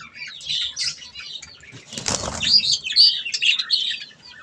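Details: Budgies eating softfood chirp and warble in high, squeaky phrases, with a brief noisy flutter midway followed by louder, rapid chattering whistles.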